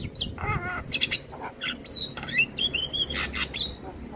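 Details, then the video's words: Javan myna (jalak kebo) in full song, used as tutor for young mynas: fast, varied jumble of harsh chattering notes and clear rising whistles, with a faint background hum. "Jalak kebo Gacor MAsteran Untuk Semua Jenis Burung Jalak Muda"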